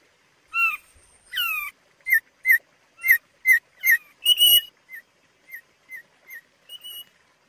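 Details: Thick-billed white-eye, endemic to Sumbawa and Flores, giving clear, sweet whistled notes, some sliding upward, others short and repeated about twice a second, with a brief rasping burst midway.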